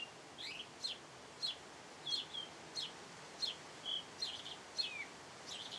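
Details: Repeated sharp cheeping from a house sparrow, around ten high chirps in under six seconds, some doubled or with a short trailing note, against soft outdoor noise.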